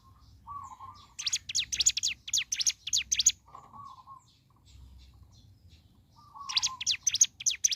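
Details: Hill prinia (ciblek gunung) in morning song: a low wavering whistle leads into a rapid volley of high, steeply falling chirps, repeated after a pause.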